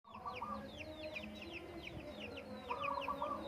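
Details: Zebra dove singing in the morning on the slopes of Menoreh while farmers eat breakfast: two short rippling coo phrases, one at the start and one near the end, amid many thin descending whistles of other birds and clucking fowl.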